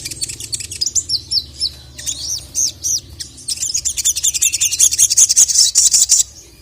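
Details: Ruby-cheeked sunbird (sogon), agitated, calling to a male. Quick rising and falling high whistled notes, then a fast, accelerating run of sharp, piercing chips at the end.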